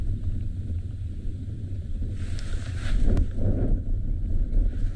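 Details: Low vehicle drone with wind noise and a brief rustling burst midway through a sunrise safari, and no animal voices.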